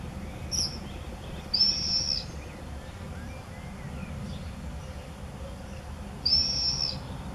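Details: Common swifts at entrance openings of observation nest boxes in a dwelling in Beek-Ubbergen, Netherlands, 8 June 2014; a brief squeal, then two drawn-out shrill trilling screams several seconds apart, thin and high, over a quiet low rumble.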